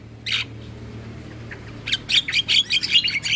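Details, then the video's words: Javan myna song used as morning tutoring for young birds: a single harsh burst, a pause with a low steady hum, then a quick series of loud, scratchy, squawking notes about every quarter second. "Suara Jalak Kebo"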